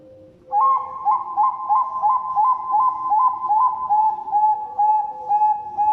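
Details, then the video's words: Zebra dove, a local or Bangkok-type bird, singing a lure song meant to set other doves calling: a fast run of soft hooked coos, each note dipping and rising, repeated about two or three times a second for over five seconds. "perkutut lokal gacor| perkutut bangkok| pancingan perkutut"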